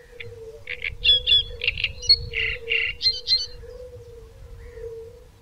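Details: A Great reed warbler delivers a burst of rough, croaky chatter mixed with squeaky higher notes, then falls silent after about three and a half seconds, leaving a steady hum and faint low background rumble.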